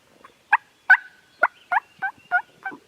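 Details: Turkeys gobbling on a farm, recorded with a Canon G7X camera: about eight short, loud, harsh bursts at irregular spacing, some doubled, with a faint whistle-like tone in the background.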